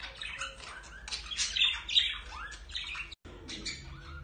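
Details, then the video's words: Budgerigar pair courting before mating: dense, busy warble of chirps, rasping squawks and sliding whistled notes, delivered in rapid irregular bursts, with a brief silent break near the end. "تزاوج البادجي أو البيروش وحركات الرومانسية بين الطائرين"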